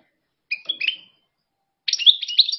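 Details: European goldfinch from Algeria singing two short bursts: a clear whistled note sliding downward, then after a pause a rapid twittering, tinkling phrase; silence between phrases.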